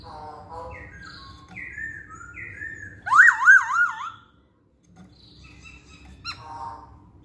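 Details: Masked laughingthrush song played to stimulate other birds to sing: soft descending whistles, then a loud burst of looping, wavering notes, a pause, and a brief sharp call.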